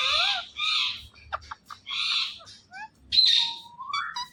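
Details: Pet Indian ringneck parakeets, green talking and dancing parrots, giving harsh screechy bursts and clear whistled notes, some sliding upward, in short phrases separated by brief pauses, with a faint low hum underneath.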